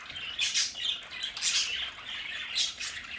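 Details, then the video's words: Pet budgerigars in an indoor play area at home trade squawks and warbling chirps, with louder harsh bursts roughly once a second among softer chatter. "Sonidos de budgies para Budgies en casa"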